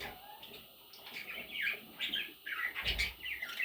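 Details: Baby parrot chicks give short arched chirps, rising and falling, repeated several times a second and growing louder and busier toward the end, with faint rustling underneath.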